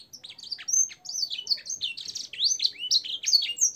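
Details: Singing canary in a training recording with blackthroat and sanger style phrases, delivering a quick jumble of sharp whistled chirps, slurred notes and short buzzy bursts with varied pitch and a clean background.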